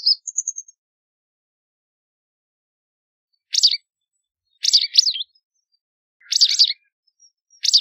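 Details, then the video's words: White wagtail: a short thin note opens, then after a pause comes a series of high, sharp chirps, several doubled, repeated about every second. "White Wagtail Song! White Wagtail Call! White Wagtail Sound- Lavandera Blanca Canto - Motacilla Alba"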